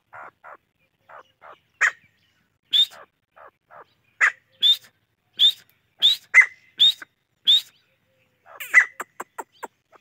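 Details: Chachalaca producing a long series of clipped notes: soft low chucks build into bright upslurred whistles and sharper calls, then a rapid chattering burst.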